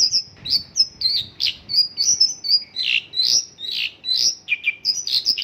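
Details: A Mongolian lark's isian lokalan song, full of local birds' phrases, made of loud alternating high whistles and rough, lower chirps in a brisk, pulsing rhythm.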